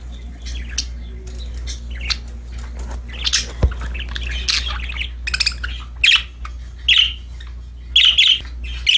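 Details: Playful, happy budgerigars in a group give scattered scratchy chatter that builds into loud, clipped chirps about once a second near the end, over a constant low background hum.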